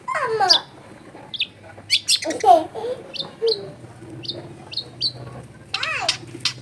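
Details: Long-tailed shrike in lively song packed with varied fill-ins, used to coax others to sing; descending slurred whistles, brief high chips and a falling warble, over a faint low hum.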